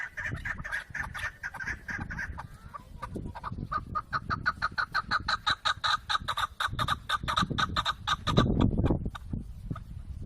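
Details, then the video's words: Chukar partridge chattering amid a busy background, rising into a clear run of fast, even chuck notes in the middle, with low rumbling noise and occasional thuds. "Keklik en güzel keklik sesi"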